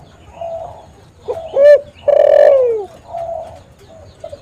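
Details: Spotted dove calls for luring doves: a soft coo, then a short note and a longer, louder coo that slides downward, followed by quieter low coos.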